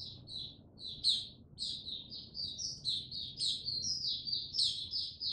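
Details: White-eye (mata puteh) singing cautiously before opening its full song: rapid high twittering notes with frequent sharp upward flicks, growing denser and more continuous toward the end.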